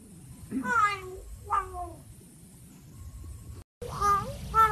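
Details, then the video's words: Talking common hill myna from Chiang Mai, northern Thailand, blessing relatives; short harmonic speech-like syllables with sliding pitch, two early phrases, a faint pause, then another burst of mimicked words. "นกขุนทองอวยพร ญาติโยมอึ้ง ทึ่ง มาเป็นชุด"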